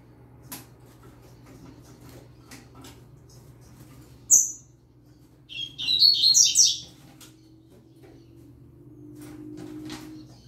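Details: Young yellow-bellied seedeater singing with a green-winged saltator: a quiet background, one sharp high whistled note, then a rapid, high twittering phrase of buzzy, jumbled notes lasting about a second, with soft clicks and low hum.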